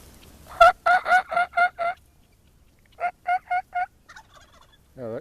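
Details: In early July by a chicken pasture, a turkey tom gobbles in two rapid rattling bursts of about five throaty notes each, answering a person's imitated hen call; a brief lower sound ends it.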